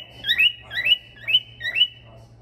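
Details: Singing male stone-curlew delivers four sharp rising whistled notes, each a quick upward sweep, evenly spaced about half a second apart over a low background hum.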